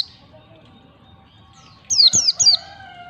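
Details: Training song of a white-eye in the 'ngalas' style with 1-2-3 beats, meant to teach young birds: after quiet with a faint steady low tone, three bright whistled notes each slide steeply downward in quick succession.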